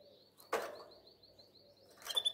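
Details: Canary in breeding condition singing to call a female, possibly in Albania: a steady run of quick, evenly spaced high piping notes forming a trill, cut by a sharp click near the start and a loud buzzy burst at the end.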